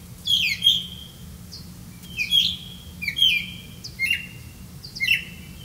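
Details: Grey-capped greenfinch feeding young on caught crickets: loud, clear twittering calls, each a bright falling chirp with a short tail, repeated roughly once a second, five bursts in all.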